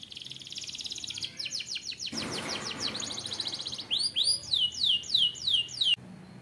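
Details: Canary song: a rapid rattling trill gives way to a dense buzzy burst, then a run of loud, clear whistled notes, each sliding upward and then falling, repeated about twice per second before an abrupt stop.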